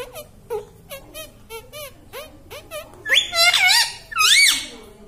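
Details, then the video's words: Indoor talking parrot: a quick series of short, soft, clipped syllables, then three louder, wavering word-like squeals, much like mimicked human speech of "mummy" or "papa". "Talking Parrot Mitthu Mitthu Tota || Mummy Mummy Bolne Wala Mitthu || pattu Parrot Talking"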